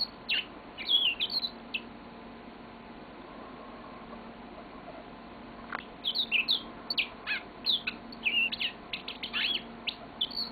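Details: Pet yellow-fronted canary in long song: an opening cluster of high chirps, a pause of several seconds, then brisk twittering and whistled sweeps in rapid succession, low indoor hum throughout.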